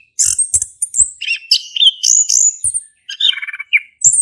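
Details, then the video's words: A male orange-headed thrush in vigorous song, used to make a silent thrush sing, pours out a dense, varied stream of high squeaks, whistles and rattling trills with brief clicks. "Anis Kembang Jantan Gacor buat pancingan anis kembang macet bunyi"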